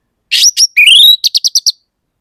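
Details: Orange-headed thrush singing: a smeared buzzy note, a short chattery burst, then a long rising whistled slur, ending in five quick, evenly spaced sharp notes. No other sounds.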